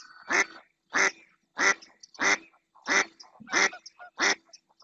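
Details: A female ánade azulón, the mallard, calling insistently in the marsh of Doñana National Park, Spain. Seven strong, hoarse quacks are spaced very regularly, about every two-thirds of a second.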